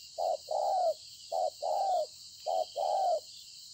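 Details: Spotted dove, a wild-caught field bird, cooing at Konlong on 26 September 2020: three rhythmic pairs of short and long low coos, the long note slightly falling, under continuous high-pitched insect buzzing.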